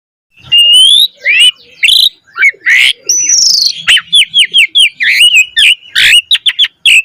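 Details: Black-collared starling in full lure song meant to spur other starlings into rich singing. Varied loud whistles and chirps: rising slurred notes, a long wavering high whistle, then quick repeated bent notes, dense and continuous.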